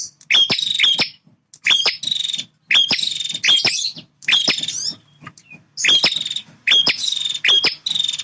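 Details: Very vocal male bar-winged prinia: loud, dense buzzy rattles with double clicking notes, phrases tumbling one after another almost without break, a faint low hum underneath.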